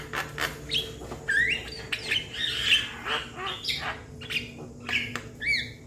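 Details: Juvenile Javan myna calls for its companions with a busy string of harsh squawks, twisting whistled squeaks and rasping notes, almost continuous for several seconds.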